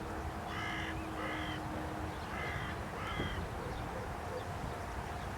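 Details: Carrion crow perched on a post at Aranoltza, Zamudio, Txorierri, Bizkaia, in 2020, giving four harsh, harmonic caws in two pairs, each about a third of a second long, over a steady low background hum.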